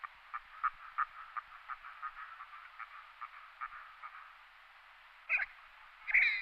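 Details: Red-breasted merganser giving a slow string of soft, rough croaking pulses that fade away. After a pause come two louder, harsher squawking notes at the end.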